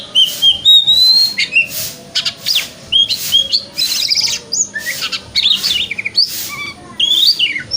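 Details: Kacer, the white-rumped shama, singing a 'wikplong' song for morning therapy meant to make a shama open its tail: loud clear whistles, rising and falling slurs and scratchy notes in rapid, varied bursts.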